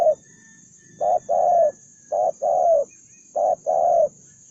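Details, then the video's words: One spotted dove, described as a fierce, combative đồng son bổi bird, gives three deep two-part coos. Each is a brief hoot followed by a drawn-out, gently falling note, spaced about a second apart, with a faint high electrical whine. "cu gáy- bổi 01 con đồng son hung hăng hiếu chiến như bọ xít"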